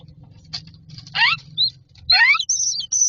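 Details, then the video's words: Common myna chicks in a nest box waiting for food, with harsh, descending rasping calls and sharp high chirps, irregular and loud, over a steady low hum. "Myna chicks are standing in a row waiting for food"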